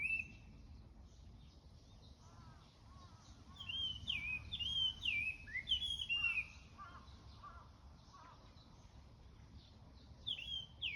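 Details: Morning birdsong: clear whistled notes with rising and falling sweeps around the upper range, given in bursts between pauses, over a steady low rumble of background noise.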